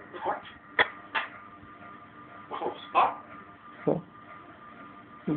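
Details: Pet African Grey parrot talking in Persian: short, harsh, speech-like syllables in separate bursts, some sounding like "bye bye", with quiet pauses between utterances indoors.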